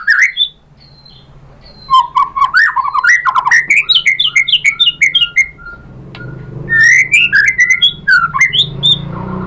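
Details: White-rumped shama in vigorous lure song, meant to get other shamas answering, with a mix of copied phrases: dense runs of rich whistles and chattering notes rising and falling, a short lull, then another loud varied burst over a faint rumble.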